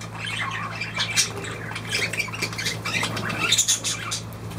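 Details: Budgerigar calls indoors: dense, overlapping scratchy chirps and squawks in a busy high chatter, with a steady low hum underneath.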